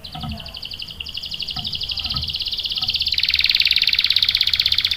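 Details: Canary song from a female in breeding condition calling the male: a long continuous rolling trill that grows louder and broader midway, with a few faint low knocks in the background.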